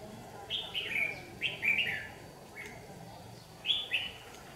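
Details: Red-whiskered bulbul lure bird singing competitively during trapping on a harshly sunny day, 8 July 2019: short bright warbled phrases of several slurred notes, separated by pauses, over steady background noise.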